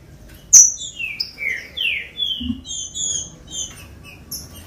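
Green-winged saltator singing a rich, fast run of clear whistled and slurred notes, mostly high and descending, with a sharp high note near the start.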